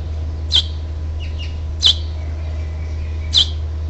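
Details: At a house finch nest on 12 June 2007, during the last nestling's first flight, three sharp high chirps come about every 1.5 seconds. Faint soft twitters sit between them over a constant low hum.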